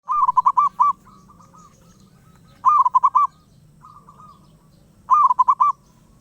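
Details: Wild zebra dove calling nonstop: three loud rolling coo phrases of about five quick pulses each, spaced roughly 2.5 seconds apart, with softer, similar trilled phrases between them over a low background hum.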